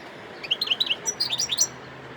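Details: European goldfinch singing in Sidi Bel Abbès, Algeria, December 2021: a short burst of high, liquid twittered notes in two quick clusters, some rising and some falling, over faint background hiss.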